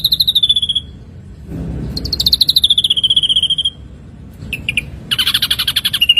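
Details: Ashy drongo song from a training recording for songbirds: clear whistled notes sliding down near the top of its range, then rapid pulsed chatter and a burst of buzzy, fast-repeated notes.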